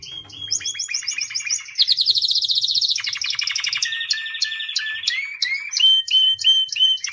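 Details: A white canary sings a long varied song of rapid trilled phrases, shifting from high buzzy rolls to fast repeated notes and lower rolling tours, with sharp upswept chips near the end.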